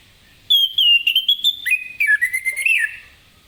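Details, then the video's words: Morning song of a lemon-bellied white-eye (anis kembang ngeplong), played to prompt other birds to sing: one continuous, loud, high whistled phrase, slurring downward through choppy warbled notes and ending in a falling flourish. "Anis Kembang Ngeplong Gacor di pagi hari, apapun burung anda pasti ikutan nyaut"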